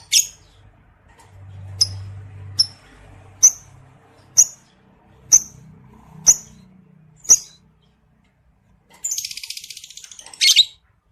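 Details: Breeding-condition male lovebird, used as a lure so males trill ngekek-style: a series of crisp, high chirps roughly once a second, then after a gap a rapid, buzzy rattling trill ending in a louder burst.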